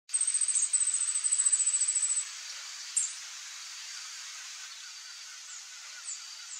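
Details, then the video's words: A glittering-bellied emerald (Chlorostilbon lucidus) hummingbird song: a very high, thin, rapid buzzy trill for about two seconds, then a few faint high squeaks over soft background hiss. "CANTO, BESOURINHO-DE-BICO-VERMELHO (CHLOROSTILBON LUCIDUS), GLITTERING-BELLIED EMERALD"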